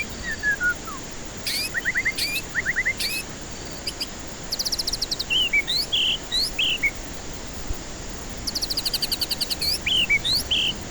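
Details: White-rumped shama singing as a lure for stressed birds that refuse to sing. Falling whistles open into repeated quick note clusters, dry rattling trills and looping whistled phrases, with a rattle returning near the end.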